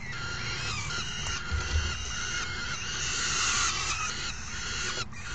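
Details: Young falcons in a raucous crowd beg during a feeding, a parent having brought the meal on 3 June 2018; continuous overlapping harsh, buzzy squeals that swell louder toward the end, low hum beneath.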